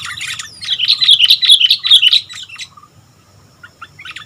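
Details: Sooty-headed bulbul in full, energetic song: a loud, rapid burst of high bubbling whistles lasting about two seconds, trailing off into a few soft scattered chirps against a quiet low hum.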